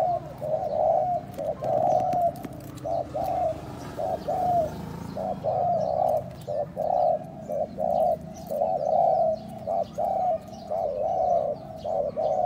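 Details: Spotted dove calling to stimulate and lure other doves: low, mellow cooing notes in uneven phrases, roughly one per second, over a steady low hum with faint clicks above.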